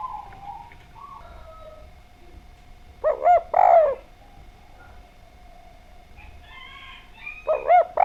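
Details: Spotted dove singing as a lure to bring other doves into song: scattered soft coos and faint chirps, then two bursts of loud, hollow, stacked coos about four seconds apart, with a steady faint hum throughout.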